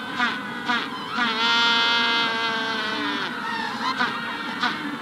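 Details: Magellanic penguin in a colony at the hatching stage: a few short gasping notes lead into a sustained braying call lasting about two seconds, followed by more short notes. The colony chorus continues behind, with a rufous-collared sparrow in the background.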